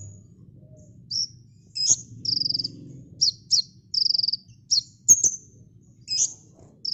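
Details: Kolibri ninja, or olive-backed sunbird, in a dense 'tembakan' song used as a master for training cage birds: high needle-like chips and short buzzy trills repeated at a lively pace, plus one loud click and a faint hum.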